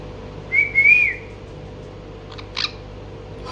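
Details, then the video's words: A pet male monk (Quaker) parakeet that talks to TV shows gives one wavering, slightly rising whistle of about half a second, then a short harsh chirp two seconds later, over a steady indoor hum. "green monk parrot talking and chirping sound"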